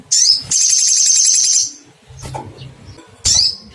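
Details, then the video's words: Sogon (sogok ontong) calling to find a rival: sharp, high, thin cuitt notes sliding downward, then a long buzzy, rattling trill lasting about a second, followed by another falling cuitt, with faint low background rumble. "Cuitt cuitt panggilan SOGON mencari lawan"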